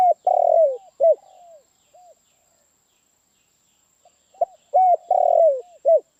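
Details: Spotted dove giving two cooing phrases about four seconds apart, each a few short hollow coos followed by a long, buzzy, slightly falling coo and a final clipped note; low, mellow pitch with quiet surroundings.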